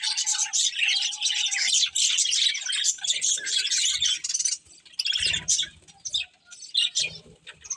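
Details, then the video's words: Feeding budgerigars chatter in a thick wash of high twittering chirps, which thins out after about five seconds into scattered squeaks with low bumps. "Colourful Budgies Chirping Sounds"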